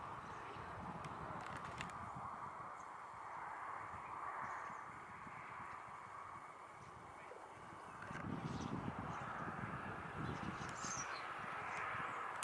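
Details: A large flock of common starlings gathering at evening on half-dead alder roost trees by a cycle path, 24 July 2023, makes a dense, continuous chatter of overlapping clicks, wheezes and squeaks, swelling louder toward the end.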